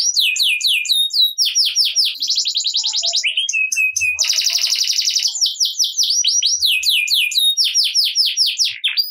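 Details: Energetic caged canary singing in the loud, busy gacor ngerek style, a recording played to get quiet canaries singing: loud, high, continuous song mixing rapid sweeping notes with dense buzzy rolls, no pauses, clean background.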